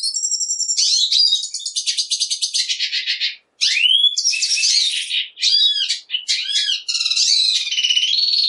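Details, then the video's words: Black siskin in loud, continuous, high twittering song, with rapid buzzy trills, sweeping whistled slurs and a brief break midway. "Negrillo Boliviano! Llamado! Sonido! Cantando! - Black Siskin Song - Spinus Atratus"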